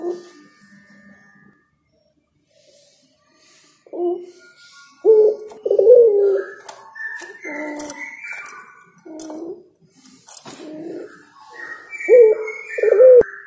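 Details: Spotted dove, known locally as derkuku or tekukur, singing a series of short mellow coos with rising inflections, grouped in bursts, alongside softer higher chirping notes from other birds.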